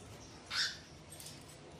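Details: Alexandrine parakeet whistling while preening: one short, loud, bright note with a strong upper harmonic, lasting about a quarter second, then only faint low background hum and a soft distant chirp.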